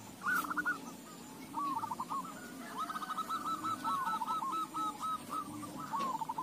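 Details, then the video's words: Crossbred Bangkok and local zebra doves singing in reply to each other: fairly faint, fluttering coo phrases of quick repeated notes rise and fall in several overlapping runs against a steady hiss of background noise. "Perkutut BANGKOK LOKAL CROSING NYAHUT SEMUA"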